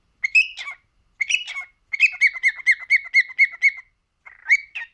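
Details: A three-year-old male cockatiel talks and chatters in bright, slightly raspy whistled chirps, with a quick run of about eight repeated notes in the middle and brief pauses between phrases.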